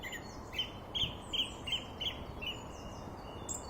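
Song Thrush singing a run of short, bright notes, a similar phrase repeated five or six times at a quick pace, with steady background hiss.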